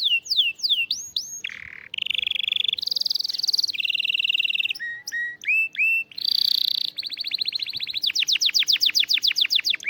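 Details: Varied canary song meant to motivate a silent canary: swooping whistles, low rolls, bright buzzy tours and changing trills, ending in a fast even series of sharp repeated notes; clean background.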